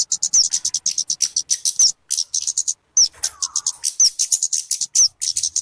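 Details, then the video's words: Talokan (kemade) call for bird luring or song tutoring: high fast chips in phrases, each closed by a short downslurred whistle roughly once a second, with brief silent breaks. "SUARA BURUNG TALOKAN/KEMADE COCOK BUAT PIKAT ATAU MASTERAN"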